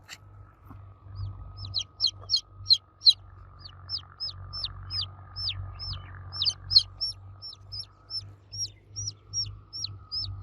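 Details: Baby chicks chirping for the mother hen: continuous high, falling peeps, about three a second, sometimes overlapping, with a steady faint tone and low hum in the background.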